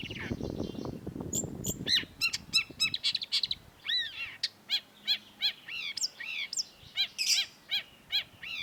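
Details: Long-tailed shrike, known locally as cendet, on a training recording for caged songbirds: low background noise gives way to a run of clear, arched high chirps, repeated roughly twice a second with brief squeaky flourishes.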